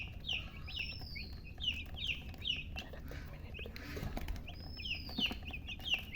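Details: Baby chicks with a hen chirping in clusters of high, bending peeps, with a brief lull midway before the calls resume, over a constant low rumble.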